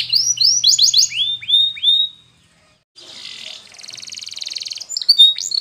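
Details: Timbrado canary song, Spanish breed, used to train a silent canary: a run of bright down-slurred whistles, a silent gap, then a soft buzzy roll building into a metallic trill and sharp rising notes.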